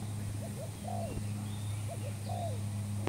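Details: Newly acquired spotted dove cooing for use as a lure in trapping: two quick rising notes then a drawn-out falling coo, the phrase given twice, over constant low background hum and a sharp click at the end.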